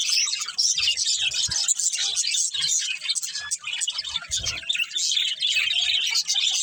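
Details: Budgerigars, a family playing together, produce constant high twittering and chirps with scratchy overlapping notes and occasional low thuds.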